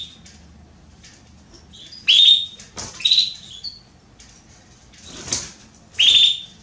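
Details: Female Belgian canary soliciting mating: loud rising whistles that flatten at a high pitch, three clear calls mixed with softer chirps and brief thin notes.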